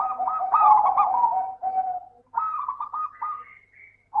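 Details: Zebra dove, local type, singing as a lure for reluctant birds: a loud, continuous run of quick rolling coos, then a softer stuttering phrase, with a faint rising whistle near the end.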